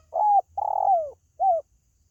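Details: Spotted dove calling, recorded for use in luring pet birds: three mellow, hollow coos. The first is short, the second long and slurred downward at the end, and the third short and falling, each separated by brief silences.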